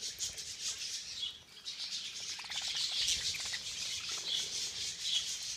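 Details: Feeding frenzy of budgerigars: rapid, overlapping high chirps and warbling chatter from a crowd of birds, steady throughout, with faint flutter sounds.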